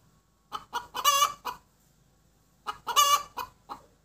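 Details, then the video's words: After laying an egg, a hen cackles in two bursts, each a few quick clucks leading into a long loud nasal squawk followed by a final cluck. "Gà mái đẻ kêu cục tác"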